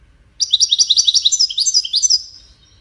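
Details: Widani-style song of a European goldfinch, used to tutor chicks: a quick two-second string of sharp, high tinkling notes and short slurred whistles, delivered in rapid succession over a quiet background.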